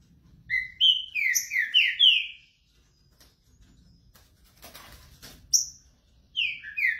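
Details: Green-winged saltator warming up: a fast run of rich, slurred whistles, falling and rising, then a quiet stretch with a clatter before more whistled notes return.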